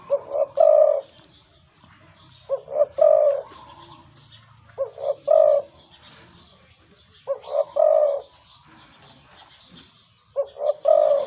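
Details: Wild-caught spotted dove decoy with a deep, big voice, repeating low coo phrases: quick short notes leading into a longer coo, four bouts spaced two to three seconds apart over a quiet background.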